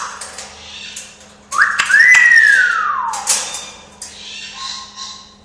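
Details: Talking pet parrot whistling indoors: a loud rising then long falling slide, followed by softer short whistled notes and a faint steady hum.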